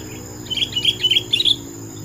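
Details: Sooty-headed bulbul pouring out a fast string of sweet, chirpy notes, about a dozen bubbly syllables in quick succession, over a low steady hum.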